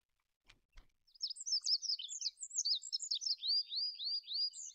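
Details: Olive-backed pipit song: two soft low clicks, then a high, fast jumble of thin twittering notes that turns into a run of about six repeated slurred, rising-then-falling whistles.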